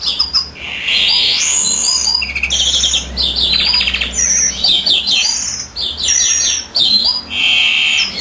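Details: Male European greenfinch in full song as the hen sits on eggs; rolling twitters and trills alternate with buzzy held notes and sharp upward chirps, densely packed with few gaps.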